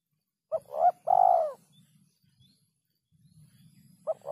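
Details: Spotted dove in 'kuk 3' style, clean recording: a quick pair of hollow coos leading into one longer rolling note, then quiet low murmuring before another coo begins.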